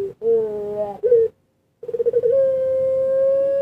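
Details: A spotted dove kept and bred in Indonesia for its sweet song, uttering short low rolling coos, a pause, then a stuttered start sliding into a long steady held note.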